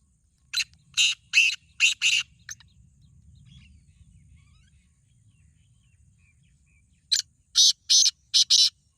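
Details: Black francolins, two birds set against each other in a voice contest, giving harsh, grating, broadband calls: a phrase of about five scratchy notes, several seconds of near silence with faint low rumble, then a second phrase of four loud notes.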